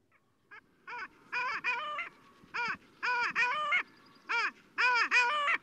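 Long-tailed Duck giving nasal, yodeling calls in quick bursts, rising then falling in pitch, repeated in groups of two or three over a quiet background.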